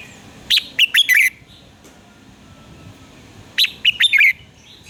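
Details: Red-whiskered bulbul singing in the morning, recorded as a lure for training birds: two quick bursts of bright, clipped whistled notes swooping between high and mid pitch, separated by about three seconds of quiet background hiss.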